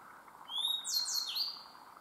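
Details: A Grey Bunting sings at Myōkō Kōgen highlands, Japan, a brief, high, clear phrase: a thin rising whistle followed by a few sliding, buzzy notes, all in about a second. A faint insect-like drone hums underneath.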